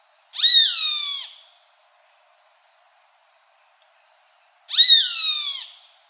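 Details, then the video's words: A roadside hawk (Rupornis magnirostris) gives two drawn-out, nasal, harmonic screams, each falling in pitch over about a second and spaced about four seconds apart against near silence. "Som de Gavião-carijó / Rupornis magnirostris"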